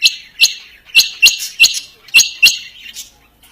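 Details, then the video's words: Quail call: strong, short piercing chirps, about seven in three seconds, each a bright metallic tick-like note, unevenly spaced. "Dhoghla Batair Ki Awaz | Harlequin Quail Calling | King Quail Calling | Female Rain Quail Calling"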